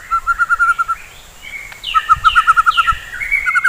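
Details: White-rumped shama singing in the morning, used to rouse fighting birds: rapid runs of clear whistled notes near one pitch, a pause, then a brighter repeated series with higher overtones and rising phrases at the end.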